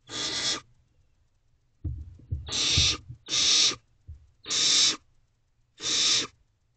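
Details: Barn owl owlet in a nest box at 2:37 am on 17 May 2023, displaying its wings at night. Five harsh, breathy hissing screeches, each about half a second long, come at uneven gaps. Softer low rustling sounds fall between them.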